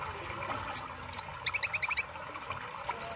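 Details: Sunbird voice: a couple of isolated high pips followed by a rapid run of bright, evenly spaced chirps, then a last high note, against a hissy background.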